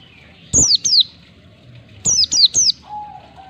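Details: Oriental white-eye ngalas song, one to two beats, for training caged birds. A loud pair of bright descending notes is followed by a quick run of three more, then a thin level whistle in the background.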